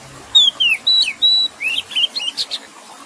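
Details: Oriental magpie-robin, song set against splashing water: several sweet downward-slurred and flat whistles, followed by quicker rising chirps and a scratchy high note near the end.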